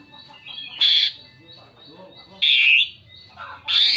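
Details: Asian pied starling singing to lure other birds: three loud, rasping, squawky bursts spaced about a second and a half apart, with soft low murmuring between them.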